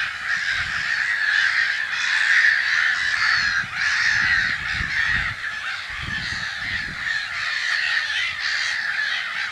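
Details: Nesting black-headed gull colony in Brenne, Berry, France, in mid-March 2012, watched from an observatory: continuous raucous chorus of many grating, cawing calls blending together, with occasional low rumbling thumps.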